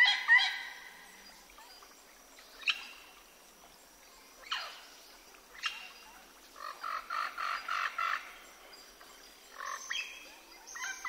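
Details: Wild parrots recorded in the jungles of South America: harsh, raspy squawks scattered every second or two, then a run of rapid repeated grating notes, over a faint forest hiss.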